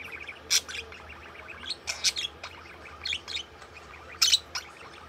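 A budgerigar chirps in busy, scratchy warbles broken by sharp, bright squeaks.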